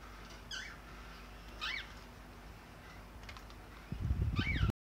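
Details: A pet cockatiel chick at play with its toys gives three clear arched chirps, each rising then dropping, spaced well apart, with faint clicks between them and a low rumbling clatter at the close.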